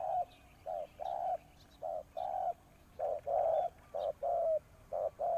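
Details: Decoy spotted dove luring wild doves, giving a steady series of soft, hollow coos in short and long pairs, the long notes dropping slightly in pitch.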